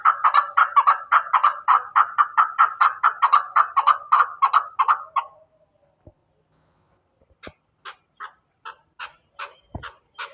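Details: Chukar partridge from Pakistan giving a quick, regular series of clucking chuck notes for about five seconds, a pause, then softer, sharper notes resuming at a slower pace.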